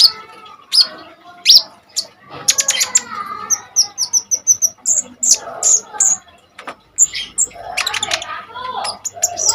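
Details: Konin, the Common iora, in lively full song used for tutoring other cage birds such as kolibri ninja: sweet high whistled phrases interleaved with dry chattering chips and rapid buzzy notes.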